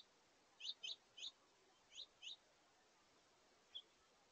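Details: House finch family visiting a feeder, juveniles feeding and jostling for position: a quick series of five bright, high chirps within two seconds, then a lone chirp after a pause, over faint background hiss.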